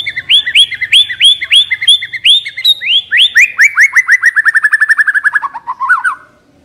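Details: White-rumped shama (Copsychus malabaricus), a lure bird, singing a rich run of clear, upslurred whistles that speed into a rapid descending trill of about twenty notes.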